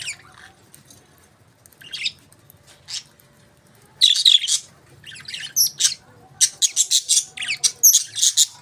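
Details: Pet budgerigars chirping indoors: bursts of high, scratchy chirps and squawks, sparse at first, then coming faster and louder in the second half.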